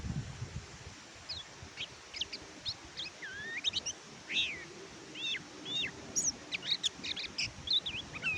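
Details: Oriental white-eye (kecial kuning) used as a tutor recording to prompt reluctant birds to sing: rapid high, thin chirps and short whistled slurs, some rising, some falling, strung into a busy twittering run with brief gaps.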